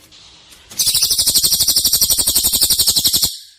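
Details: Murai batu tutoring material, the rapid shot-style filler song called isian tembakan: one sustained, very fast run of sharp, buzzy high notes lasting about two and a half seconds after faint background hiss.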